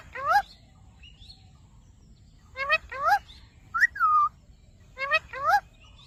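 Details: Ringneck parrot talking "Mitthu Mitthu": three paired, two-syllable harmonic phrases with rising and falling inflections, spaced about two seconds apart, plus a drawn-out whistled slur in between.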